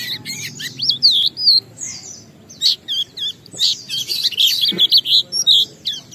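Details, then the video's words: Oriental white-eye singing as a lure to trigger song in other birds: high twittering with looping, bending whistles and some scratchier notes, delivered in uneven bursts, over a low background rumble and a brief knock. "Pleci Bahan Segera Ngalas Nembak dan Bongkar isian setelah diperdengarkan pleci gacor ini"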